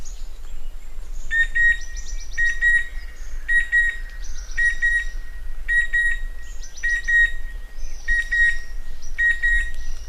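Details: Repeated calls of a chestnut-winged cuckoo, bright whistled notes in quick pairs spaced roughly a second apart, set against a constant high-pitched ringing tone and scattered higher twittering from other birds.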